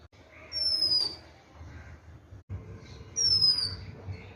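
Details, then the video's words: Oriental magpie-robin singing: two high, clear whistled notes about three seconds apart, each sliding downward for roughly half a second, with a faint lower falling note beneath and a steady low hum behind. "Oriental magpie-robinBird's sound"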